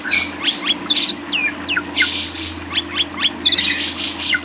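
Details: Masteran audio of lovebird song: sharp, high squeaky notes and quick upward flicks, given in separate short bursts with small gaps, over a faint steady hum.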